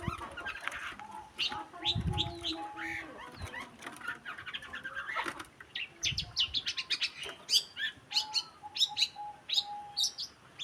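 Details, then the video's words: Masteran recording of a long-tailed shrike (cendet): dense bursts of high, scratchy chirps and twittering notes, with a steady low whistled tone running beneath and soft fluttering sounds. "MASTERAN BURUNG CENDET"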